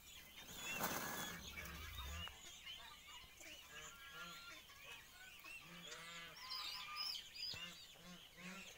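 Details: Wild turkeys showing off dominance call in a dense, overlapping chorus of rattling, harmonic gobbles and yelps, with one loud rough burst near the start.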